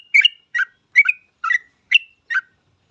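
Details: Yellow-vented bulbul in lively full song, recorded as a lure to get other bulbuls singing quickly; six short bubbly chattering phrases, each a quick mix of fluty notes with a bright whistled tail, spaced about every 0.4 seconds.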